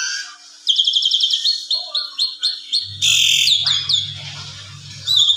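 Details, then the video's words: Asian pied starling in evening song, rich in varied filler, meant as a tutor recording for other birds: rapid chattering notes, a string of sweeping whistles and a loud burst of harsh noise, over a low hum. "Pancingan Sore !! Jalak Suren Gaya Full Isian Segudang Gacor Suara Istimewa Cocok Buat Masteran"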